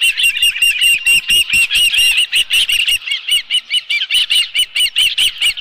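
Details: Osprey calling at a ranch nest holding a live fish, summer afternoon: steady run of loud, shrill, slightly upslurred chirps, about two to three per second, with soft outdoor background.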